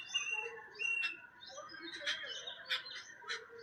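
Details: Jungle babblers, a social flock foraging together, chatter in harsh, squeaky bursts, several birds overlapping with scratchy notes about every half second, over a low background hiss.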